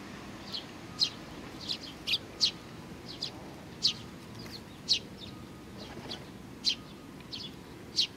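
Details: Eurasian tree sparrows, young included, 27 June 2019, give clear single high chirps roughly every half to one second, fairly evenly spaced, with faint noise beneath.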